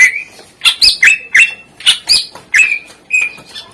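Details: Greater green leafbird singing to encourage lazy birds to sing, giving a steady series of about nine loud, sharp, slurred whistled notes, each rising then dropping, spaced roughly half a second apart.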